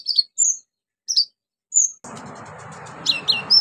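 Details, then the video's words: Orange-headed thrush in full song, played to stimulate silent birds, with mimicked fill-ins: clean separate high whistles and downslurred notes, then steady background hiss under loud looping phrases. "KONIN GACOR NEMBAK ISIAN PANCINGAN KONIN MACET BUNYI"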